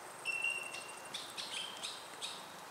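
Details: Superb fairy-wren in suburban Melbourne, Australia, around moulting males: a long thin steady whistle followed by a series of high, sharp chips and brief trilled notes, repeated roughly every half second, over quiet background.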